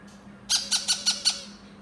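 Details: A yellow-crowned amazon parrot chick being hand-fed gives five harsh, raspy squawks in quick succession, about five per second, over a faint steady indoor hum.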